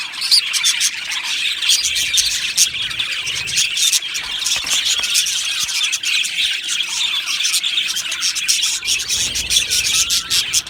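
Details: Aviary of Australian budgies, a whole colony singing and chirping over a longer stretch: constant high warbling babble, frequent sharp clicks and squeals, a few short whistled slides near the end.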